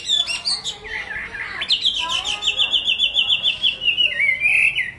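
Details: Chinese hwamei singing: a few varied whistled notes, then a fast even trill of repeated notes held for about two seconds, ending in a wavering slurred whistle.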